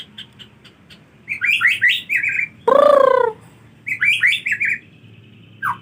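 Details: White-rumped shama in the rainy season, reluctant to bathe: two bursts of rapid, slurred high whistled notes, separated by a loud harsh nasal squawk, with a steady low hum underneath.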